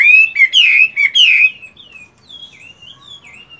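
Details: Moulting caged Chinese hwamei, a fighting bird with handsome plumage, in morning song practice: bright, loud, slurred whistles for about a second and a half, then quieter, thin, drawn-out whistled notes trailing off.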